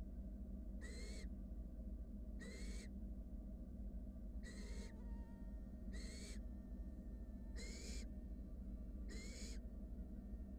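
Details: Six harsh, breathy hisses with a slight rising edge, spaced about every one and a half seconds, from wild barn owl chicks in a monitored nest box as a sibling swallows a rat.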